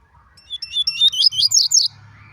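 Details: Yellow-bellied seedeater (papa-capim) singing its morning greeting, type C4: a quick series of high, sweet chirps and buzzy trills rising and falling, lasting about a second and a half, with a man speaking softly in Portuguese nearby.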